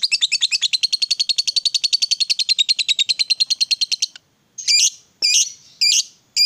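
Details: Lovebird, a fighter-type bird, played to make other lovebirds sing: a long, rapid, high-pitched chattering trill lasting about four seconds, followed by several loud, harsh squeaky bursts spaced under a second apart.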